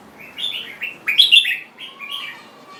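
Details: Jambul bird sings a continuous chattering phrase of short, bright slurred notes rising and falling, densest and loudest in the middle, with a faint low drawn-out tone beneath.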